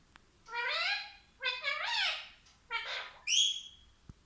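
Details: Pet parrot talking: four harsh, buzzy, rich-toned utterances, the last one short and higher, with quiet pauses between them.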